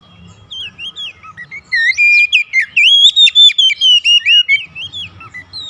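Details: Captive Oriental magpie-robin kept at home, singing actively as daily training: a lively run of clear, sliding whistled notes, some rising and some falling, delivered rapidly in a loud central burst with a faint low hum beneath.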